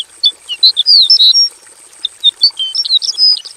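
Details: Short varied phrase from a caged Javan bush lark in a simple aviary: sweet slurred whistles and sharp high chirps in quick succession, twice, over a thin continuous high tone.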